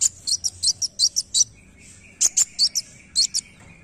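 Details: Dark sunbird (kolibri wulung) calling with a rapid string of bright, high chirps, about eight in the first second and a half, then after a pause further paired chirps; a faint continuous thin tone is audible behind.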